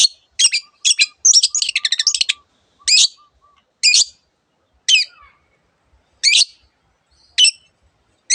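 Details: Long-tailed shrike giving a rapid burst of high chattering notes, then loud sharp single calls spaced about a second apart, with a faint low ticking series underneath early on.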